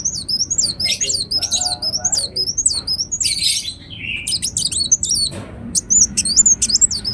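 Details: Ruby-cheeked sunbird in full song, a rapid stream of shrill, high zigzag twitters, with a short burst of lower, buzzy notes in the middle and brief pauses between phrases.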